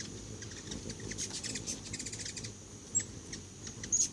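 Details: Several hummingbirds at a feeder of homemade food trade rapid, very high ticking chips, with a few brief squeaky notes near the end and a persistent thin high hum behind.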